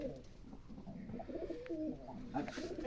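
Giribaz pigeons cooing softly, low rolling murmurs overlapping in an enclosed space.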